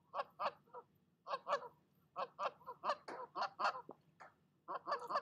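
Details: Mother goose on her nest telling off an intruding goose, with rough, buzzy honks in clustered runs, a dense noisy stretch in the middle, then fresh bursts after a short gap.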